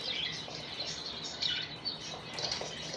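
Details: Happy budgerigars keep up a soft, busy chatter of overlapping high chirps and twittering notes, with a few brief louder tweets and no pause in the stream.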